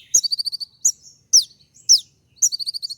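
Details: Brown-throated sunbird (kolibri ninja) in full 'tembak' shooting song style, used to provoke other birds into answering: sharp high downslurred notes, then rapid dry chattering trills of about eight clipped notes, repeated twice.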